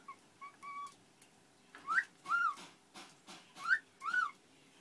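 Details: A talking pet cockatiel that is untamed but unafraid of people, and also says phrases like "how you doing", gives short, clear whistled notes that swoop up then arch down, in paired phrases.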